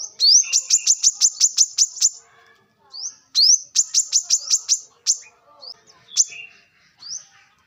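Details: Wild brown-throated sunbird recorded in nature for use as a lure: rising whistled notes lead into rapid series of sharp high chips, about ten in two seconds, repeated after a pause, with scattered softer notes.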